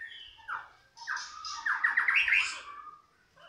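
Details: Young white-rumped shama, a former competition bird, kept in captivity, giving varied song: short slurred whistles, then a fast series of repeated descending notes and bright high phrases, with faint low room noise.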